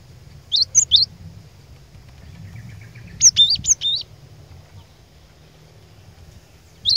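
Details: Cinereous tit singing as a lure bird meant to stir rivals into song: sparse high whistled notes, a short run of four sharp phrases near the middle, then quiet with faint low hum.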